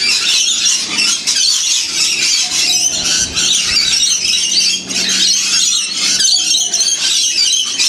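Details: Many wild lorikeet parrots feeding together in winter, Blue Mountains, Australia; unbroken high-pitched shrieking chatter from the whole flock, rising and falling in loudness, with a faint low hum in the background.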